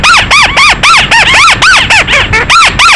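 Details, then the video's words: Bird calling at night, used as a lure. A loud, rapid series of arched, whistled notes that rise then fall, about four per second, evenly spaced and steady throughout. "Tiêng chim măt xéo (chim chuôt )file đánh đêm."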